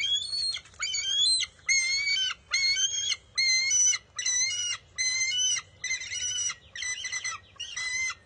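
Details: Bald eaglet at the nest keeping a fish from its mother, June 23, 2021: a loud, regular series of shrill, harmonic squeals, roughly one burst each second, steady throughout.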